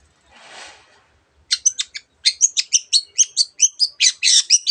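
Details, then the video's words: Long-tailed shrike delivering a masteran song of mimicked calls, opening after a soft rustle with a fast series of sharp, high chips and whistled notes about three per second, rising into a dense chattering finish. "cendet gacor masteran untuk burung yang susah bunyi banyak varian suara burung lainya"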